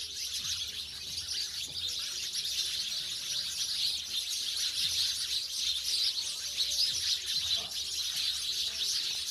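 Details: A flock of house sparrows that have moved from the city to village life, chattering steadily with overlapping shrill chirps that form a continuous high twittering wash.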